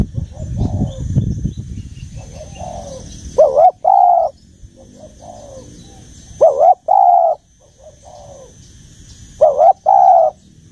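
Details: Spotted dove with a mature forest-style voice giving paired coos, a brief rising note then a longer mellow one, with quieter coos between, spaced about three seconds apart after a burst of low rustling at the start.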